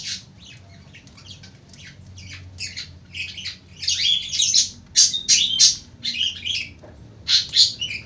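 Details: Lovebird delivering extended ngekek chattering, starting softly, then building into rapid, dense, harsh squawky notes repeated about three times per second, loudest in the second half, with brief gaps between bursts.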